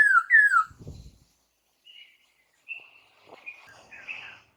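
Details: Slurred falling whistles from a white-crested laughingthrush, used as a lure for captive birds to reply, open briefly, followed by a low rustle and faint thin high notes.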